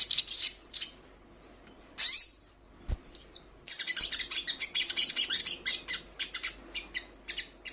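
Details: Female ruby-cheeked sunbird in heat calling to a male: a few high chips, a sharp rising note, then a long run of quick, high chattering notes.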